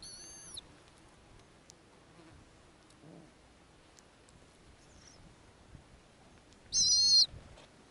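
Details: Calls of a nesting female snowy owl in the Arctic while she feeds her young. Two brief high whistled squeals, one at the start and one near the end, with a long quiet stretch and soft rustles between them.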